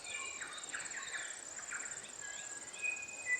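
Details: Lesser redpolls, mostly females, feed on seeds in alder cones in winter in the Maungakotukutuku Valley, Kapiti, New Zealand, giving quick, scratchy twittering notes in short bursts over a steady high insect drone.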